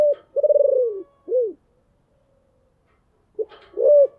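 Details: Decoy spotted dove with a deep voice, calling to lure wild doves: a short note, then a vibrating rolling coo and a sharp down-slurred final note, followed by silence and another phrase beginning near the end.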